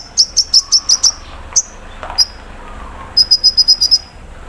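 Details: Sunbird in a cage, aired in morning dew, pouring out rapid trills of high, clear notes in two bursts, five to seven notes each, split by a few single chirps.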